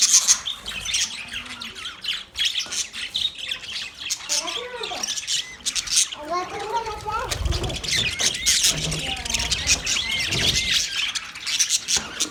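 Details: Australian budgies (parakeets) chirping together: dense, rapid high twittering and scratchy squawks that run throughout, with a lower, voice-like warbling passage around the middle.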